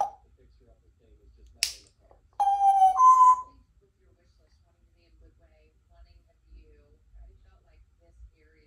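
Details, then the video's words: Chatty 3-year-old female Congo African grey parrot, a pet at home, gives a brief, voiced, speech-like utterance of about a second, steady then stepping up in pitch, after a faint click in a quiet room. "African Grey Parrot is a chatty girl today"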